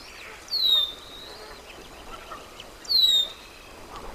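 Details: Bald eagles at their nest during a family feeding on March 28, 2024, the male trying to get onto the nest to spend time with his eaglets; two thin, high, downslurred whistled calls about two seconds apart.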